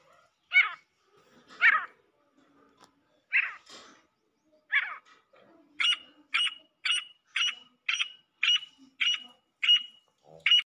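Female grey francolin: four harsh, scratchy notes, then a quick run of about ten sharp, high, ringing notes roughly twice a second. No other sounds.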